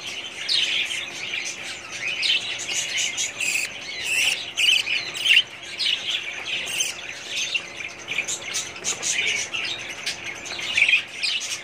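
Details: Many budgerigars calling together in a breeding colony, 2017: busy, scratchy twittering and chirping with frequent harsher squawks and bursts of louder chatter throughout.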